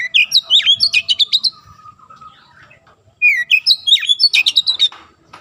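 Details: Training song of an oriental magpie-robin for young birds, with two rapid bursts of varied whistled and chirping notes about three seconds apart, each a tight run of sharp notes, with a faint lower sustained tone between them.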